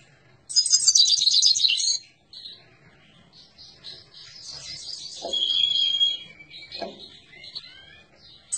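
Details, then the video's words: Singing Himalayan goldfinch: a loud, fast metallic trill lasting about one and a half seconds, followed by softer warbled phrases with clear whistled slurs and a few low knocks in the background. "تغريد حسون الهيمالايا"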